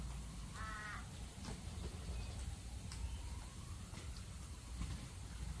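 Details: Australian galah giving a single short harsh screech with a banded, raspy tone, over steady low rumbling background noise and faint clicks.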